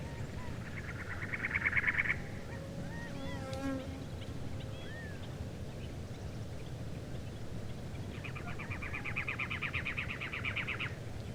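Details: In the desert Southwest, a Cactus Wren gives harsh, rapid churring bursts like a sputtering engine, two long runs; softer Gambel's quail and ash-throated flycatcher notes sound between them over a low background rumble.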